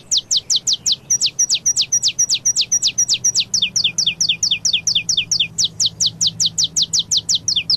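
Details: Canto paulista song of a saffron finch, a steady run of quick, high, descending whistled strokes that continues without pause and varies slightly in note form. A soft low background hum is present.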